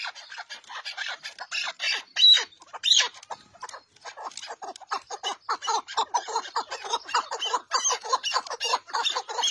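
Chukar partridge giving harsh, clucking chuk notes in dense rapid bursts, at times rising into louder squawking phrases, with no other sounds standing out.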